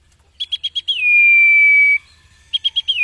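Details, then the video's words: Common iora song used to train cage birds: four rapid clipped notes, then a sustained pure whistle held for about a second, after which the clipped notes start again. "MASTERAN - Burung Cipeuw/Cipo Terbaik"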